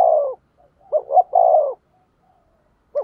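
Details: Spotted dove used as a decoy to attract wild doves, giving a loud coo: a long falling note, then two quick notes and another drawn-out falling note, with a final short note after a pause.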